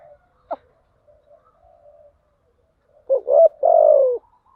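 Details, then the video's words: Spotted dove lure coo for stirring decoy birds: after faint low murmuring and a single sharp tap, one low phrase arrives near the end, a wavering double note followed by a sustained, falling coo. "Tiếng chim cu gáy mồi giọng lôi cuốn hấp dẫn đủ bài[ THÚC GÙ , GÁY GỌI ]"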